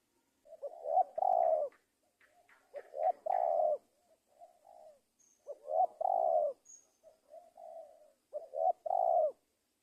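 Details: Spotted dove calling vigorously: low, soft coos in repeated phrases. Each phrase has short lead-in notes followed by a longer, louder hooting coo, roughly every two to three seconds, with quiet surroundings.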